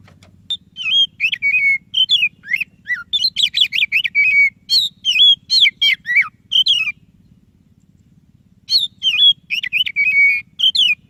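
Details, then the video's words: Energetic white-rumped shama singing, meant to coax a reluctant shama into song: rapid bursts of whistles, buzzy trills and chattering notes, a two-second silence, then more varied phrases, with a low hum beneath. "Suara Burung Kacer DADA PUTIHH Gacor cocok untuk Pancingan Kacer yang malas BUNYI."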